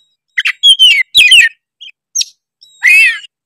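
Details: Oriental magpie-robin of the Tretes type, singing energetically as a provocation to rile rival birds: scattered whistled slurs and buzzy rasping notes in short bursts with pauses between.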